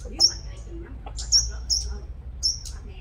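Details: Sunbird kept as a lure bird, described as an exceptional singer, from Long Thành, Đồng Nai, Vietnam. It gives high, thin, sharp chirps in short bursts, with about four accented notes over three seconds and a low background hum.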